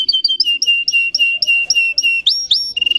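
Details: Russian canary, a breed kept for song, giving quick repeated two-tone whistled notes about four per second, rising into a pair of upward sweeps and finishing with rapid chips.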